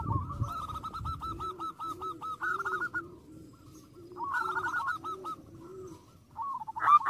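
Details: Perkutut, or zebra dove, calling to provoke rivals. Long chains of fast repeated coos are accompanied by a lower, slower cooing from another dove, with a brief thump at the start.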